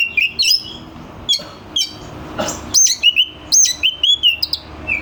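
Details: Oriental magpie-robin singing to provoke rival birds at contests: clipped whistles and sharp clicks, then a series of high notes each dropping into a steady lower whistle, over a faint hiss.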